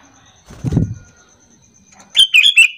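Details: Sooty-headed bulbul lure bird calling to draw answers from other bulbuls: a burst of low fluttering wingbeats, then a quick phrase of bright, bubbling chirped notes at the end.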